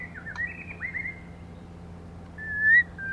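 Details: Female white-rumped shama, kept as a lure bird to stimulate males, giving clear whistled phrases around mid pitch: slurred falling and rising notes in the first second, then a long steady whistle and a louder rising note near the end, with low hum behind.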